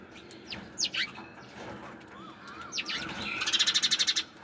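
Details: Chirping sparrows: sharp descending chirps spaced out at first, a few soft lower notes between them, then a fast run of evenly pulsed high chirps before the calls stop.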